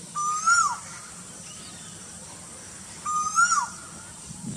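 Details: Two loud, clear cuckoo whistles recorded at Burdwan, about three seconds apart. Each note slides upward and then drops sharply, with quiet surroundings between calls.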